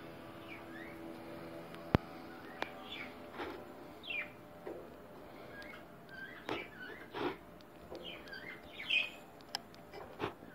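Newborn budgerigar chicks give thin, scratchy peeps, short notes rising and falling at irregular intervals.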